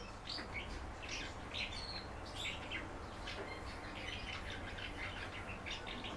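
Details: Common house martin kept by a bird keeper, coaxed to sing, giving a continuous soft, chattering twitter of short high chirps and trills throughout, quiet against a low steady background hum.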